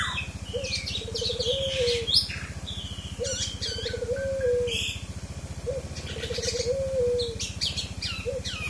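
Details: Forest oriole singing as isian song material: low, slurred whistled phrase rising then dipping, repeated about every two to three seconds, with sharp high chirps from other birds and a steady pulsing engine hum.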